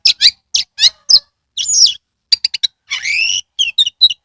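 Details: Oriental magpie-robin in Kebumen, Central Java, singing with tail open to stir quiet magpie-robins: repeated sharp chips, a slurred whistle, a quick triple note and a long warbled rising phrase.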